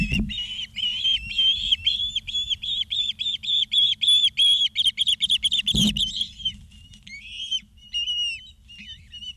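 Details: Ospreys at their Charlo, Montana nest, live-camera recording from 2 September 2023 in the afternoon: a long rapid run of shrill whistled chirps, several per second, with a thump and a pause before scattered sliding whistles.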